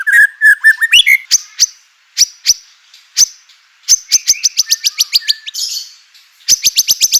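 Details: White-rumped shama song to provoke other shamas into singing: low whistled notes, then sharp high ticking notes in irregular fast runs with short pauses.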